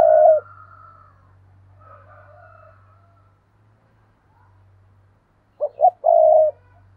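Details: Caged decoy spotted dove giving its calling phrase, 2022: a long coo ends at the start, then after several seconds of near silence come two clipped coos and a long level coo; steady faint hum beneath.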